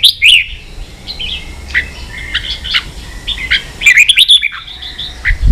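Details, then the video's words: Ché song of red-whiskered bulbul for training young birds: a loud opening whistle, then scattered fluty notes, followed by a fast cluster of sharp, rising chirps near the end. "luyện chào mào ché.kích chào nào hót ché căng lửa.kich chao mao boi hot เสียงฝึกลูกนก | นกปรอดหัวโขน"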